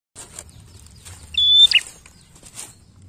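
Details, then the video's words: Bar-winged prinia, a vigorously singing bird used to lure untrained prinias into song: one steady, high whistled note lasting about a third of a second, ending in a sharp buzzy flick, over a faint rustling background. "Prenjak gacor khusus Pancing Bunyi prenjak bahan"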